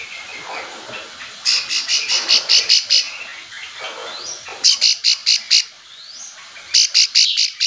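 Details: Bar-winged prinia giving its companion call to prompt silent prinias to reply: three bursts of quick, sharp, high notes repeated in steady runs, with thin rising whistles heard between the bursts.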